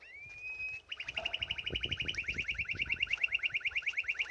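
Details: Bathing canary gives a long rising whistle, then a fast, even trill of rapidly repeated notes, about three per second or more, loud and steady, with soft splashing beneath.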